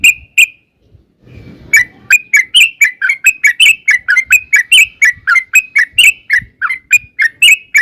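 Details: Sooty-headed bulbul 'ropel panjang' long song used to lure answering birds: two opening chirps, a brief low noise, then an unbroken series of clear rising-falling chirped notes, roughly three each second.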